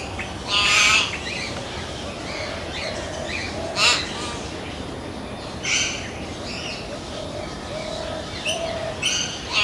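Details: Common hill myna, a mountain bird found in India, giving loud, harsh squawks and sharp whistles in bursts about every two seconds, with softer chatter between them.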